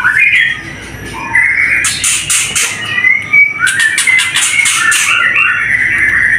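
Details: White-rumped shama (murai batu) singing a varied run of clear whistled phrases, some sweeping upward, broken by bursts of harsh, rapid chattering notes.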